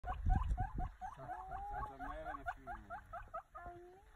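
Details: African pied hornbill perched on a branch in forest gives a fast run of short, high piping notes, several per second, over lower drawn-out whistles; a few low thumps open the call.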